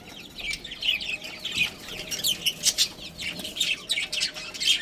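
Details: Budgerigars from a breeding colony making soft, rapid chirps and warbling twitters, a steady run of small high notes with a few louder peaks.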